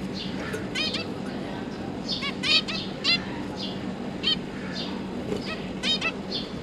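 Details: Three juvenile zebra finches newly out of the nest, with parents feeding them, October 2022: soft nasal calls repeated irregularly, roughly every second, with a faint voice and hum behind.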